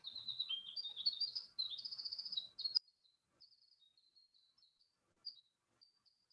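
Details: Winter wren, a deep-forest bird, pours out a long, rapid, high tinkling song of trills and twitters, ending at about three seconds, followed by faint scattered high notes.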